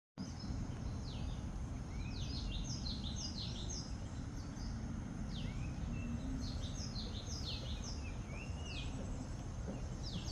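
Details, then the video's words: Birds chirping outdoors: short high downslurred chirps in loose clusters and a few brief rising notes, over a loud steady low rumble of wind or traffic. "#birdsounds #chirpingsounds #chirpingbirds"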